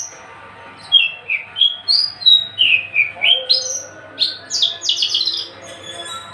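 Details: Male Javan bush lark in a cage, tame and unringed, singing a lively series of high whistled notes dipping and rising, ending in harsher rapid buzzy bursts; soft hum in the background.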